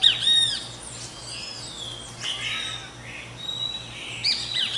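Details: Great kiskadee, described as a cheerful morning singer, gives loud, shrill arched notes at the start and end with harsher squawky phrases between, over a faint low hum.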